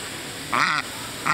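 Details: In New Hampshire, a female pet duck enjoying a lawn sprinkler with children quacks to get them to play: two loud, nasal quacks, the second shorter, about three-quarters of a second apart, with water hissing behind.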